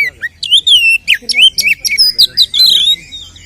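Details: Oriental magpie-robin fighting song used to raise rival males' aggression: a continuous, varied warble of high whistles and slurred notes, dense and loud throughout.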